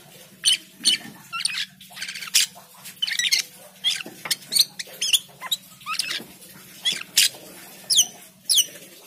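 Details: Lure song of an Asian pied starling for prompting singing, a busy stream of shrill whistles, squeaks and scratchy chatter in quick irregular bursts, with a low steady hum in the background.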